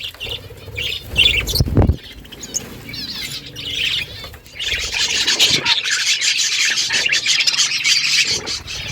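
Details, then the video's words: Budgies in the morning: scattered chirps and a burst of wing flapping at first, then a steady, dense flock chatter of high warbled squeaks and buzzy chirps filling the second half. "Budgies sounds in the morning"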